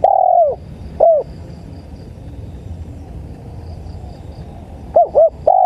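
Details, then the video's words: Spotted dove (tekukur) playback for luring birds: a long falling coo, one short curved note, a quiet gap, then two quick hooked notes and the start of another coo. Low background hum. "MP3 SUARA TEKUKUR"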